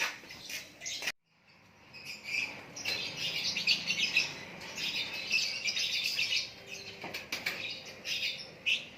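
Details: White-rumped shama in natural song, a dense run of high chattering and twittering notes after a brief pause near the start.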